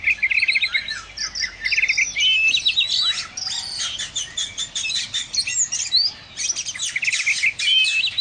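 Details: Oriental magpie-robin, called a lively, loud singer, giving a dense, fast varied song of high chirps, trills and buzzy notes with brief pauses between bursts.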